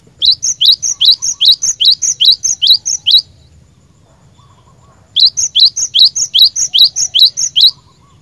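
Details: Cinereous tit used for training caged birds, repeating a clear, high, rising two-part note about every quarter second in two steady bursts of roughly a dozen notes each.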